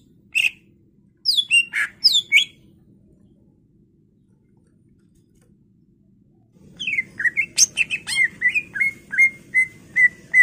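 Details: Greater green leafbird singing to prompt other birds into song: a few sharp down-slurred whistles, a long quiet spell, then a steady run of repeated clear whistled notes over a low background hum.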